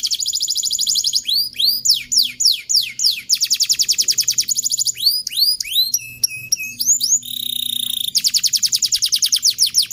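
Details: Canary master song for teaching other canaries, mixing long rapid trills with swooping upward slurs and buzzy notes, fast and varied throughout, faint low hum beneath.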